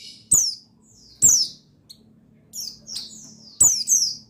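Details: Male white-eye of the buxtoni type, used to stimulate singing, from 8/8/21: high falling chirps in short phrases separated by brief pauses, with sharp clicks at the onsets and a faint low hum behind.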